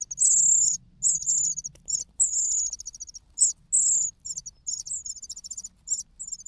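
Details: A hungry cuckoo chick cries loudly for food after the host's own young have eaten their fill. Very high, shrill, wavering squeaks come in quick bursts of varied length, about two per second, with a faint low rumble beneath.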